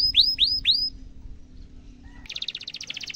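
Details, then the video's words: Canary in a tutor recording for young birds: three loud upswept whistles, a quiet gap with low hum, then a fast buzzy high trill. "Kenari gacor panjang cuit cuit emosi pancingan kenari paud belajar bunyi suara gampang di tiru"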